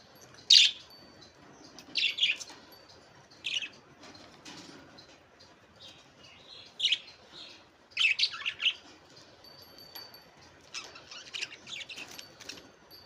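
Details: A budgerigar in a happy mood on its swing gives short, scratchy chirps and chatter in scattered bursts.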